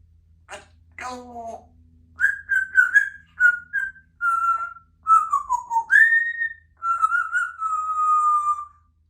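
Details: A talkative female Congo African grey parrot, a pet in a country home shared with other parrots and cats, gives a sequence of clear, pure whistled notes, some wavering, some sliding downward, ending on a long steady whistle.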